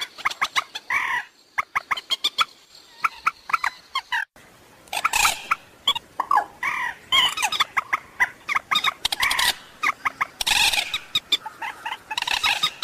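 A waterhen gives loud, harsh clucking and cackling notes in fast irregular bursts, some rising into squawky runs, with brief pauses between volleys.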